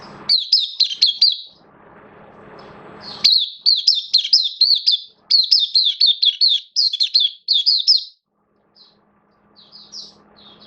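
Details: Oriental white-eye, a caged hobby bird, singing openly (buka sing) on 11 September 2022 with form dipped a little: long chains of fast, high, tumbling chirps, broken by a short patch of low rustling and a faint hum.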